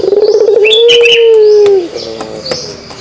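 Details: Pelung dove giving its kugeruk call: a low, rapidly pulsed, throbbing start that smooths into one long steady coo for nearly two seconds, then stops. Faint high chirps from other birds sound in the background.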